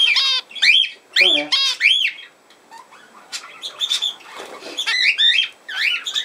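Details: Indoor budgerigar chatter: rapid, scratchy rising notes and short squawks in irregular bursts, with quieter mumbling twitter between louder phrases.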